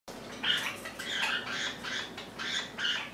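A lineolated parakeet gives a run of scratchy, chattering calls, about two bursts a second, harsh and mid-to-high pitched, with a soft background hiss.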